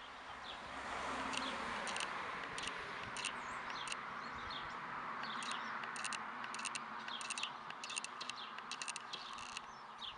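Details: Guineafowl giving harsh, rattling bursts of rapid clicks in quick clusters, repeated several times a second with short gaps, over a steady low hiss.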